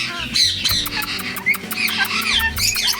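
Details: Two tame ringneck parrots on a bird farm chatter constantly, as if gossiping or arguing, in harsh squawks and bent whistles rising and falling in quick bursts, with music and a voice underneath.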